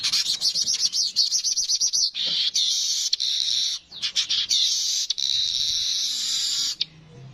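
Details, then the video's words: Streaked weaver, the manyar kepala kuning, producing a fast stuttering series of high buzzy notes that merges into a long continuous sizzling chatter, then stops abruptly. "Burung Manyar kepala kuning suara asli"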